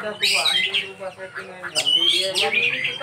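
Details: Kacer (Oriental magpie-robin) giving a dense snatch of 'isian' song: buzzy, harsh-edged phrases mixed with bright whistled slurs, repeated in two quick bursts.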